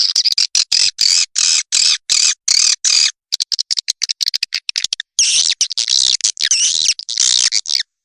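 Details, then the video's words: Swiftlets in a calling and roosting lure used by swiftlet farmers in Indonesia: evenly spaced buzzy twitter bursts, then a stretch of rapid clicking, then longer loud trilling phrases. "SUARA PANGGIL DAN INAP BURUNG WALET"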